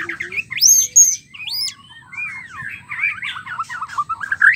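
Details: White-rumped shama used as a mating sound to spur males to sing: high sweeping whistles arching up and down, then a busy run of twisting, warbled notes, loud and clear over a quiet low hum.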